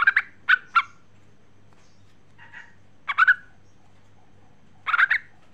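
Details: A female Yellow-vented bulbul calling to the male gives short, bubbly chattering notes in bursts of two to four, about a second or two apart, over a faint low hum.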